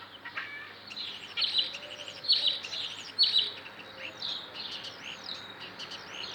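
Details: A starling, said to be making chicken-like sounds, gives a run of high, squeaky chirps and chatters about once a second, then a few looping whistles, with a faint low hum behind.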